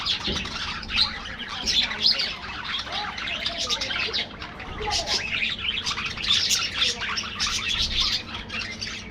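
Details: Budgerigars housed in an aviary, many voices at once making a thick wash of high, buzzy chirps and warbling twitters that hardly pauses.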